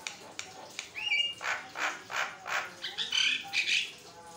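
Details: Continuous Javan myna song used to train and provoke other mynas into singing: a short whistle followed by a string of harsh, buzzy squawks roughly every third of a second, with a few whistled slurs near the end.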